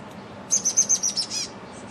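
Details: Chestnut-backed chickadee in a back yard, filmed with an HD camcorder: a quick run of about seven very high, thin notes, evenly spaced, over a low background rumble.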